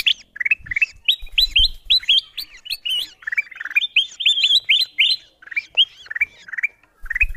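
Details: Bulbul lure recording meant to draw wild birds in: a long, lively run of sharp, hooked chirps that rise and fall in pitch, delivered in rapid bursts with short pauses and faint low knocks.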